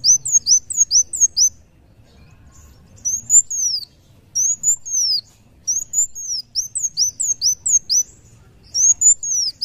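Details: Van Hasselt's sunbird, called kolibri wulung muncang daun, singing energetically: fast volleys of tiny high-pitched arched whistles alternating with slower, longer slurred notes, in repeated phrases across nearly ten seconds.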